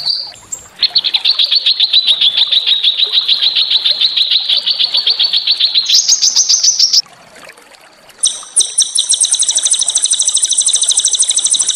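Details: Training song of small songbirds meant to rouse a white-rumped shama: a long run of fast, evenly repeated high chips that steps up in pitch midway, pauses briefly, then resumes as an even higher, buzzy rattling trill.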